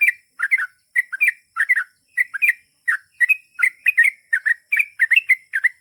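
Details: Sooty-headed bulbul in gacor ropel panjang song, delivering a rapid, steady run of short warbled chirps, each burst of two or three rising and falling notes, spaced roughly every third of a second.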